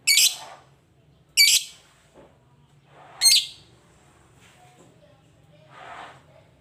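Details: Lovebird repeating three harsh, high chirps at intervals of about 1.5 seconds, followed by quieter softer twitters and a low background hum.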